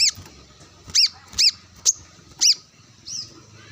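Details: A sunbathing brown-throated sunbird summons a rival with wild birds nearby: loud, clipped, high-pitched chips about every half second, one thin whistle-like note among them, and soft low hum behind.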